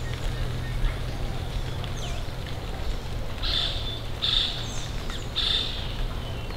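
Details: Rose-throated becard (Pachyramphus aglaiae) in Costa Rica calls: three thin, high, slightly buzzy notes about a second apart, over a steady low rumble of wind or distant traffic.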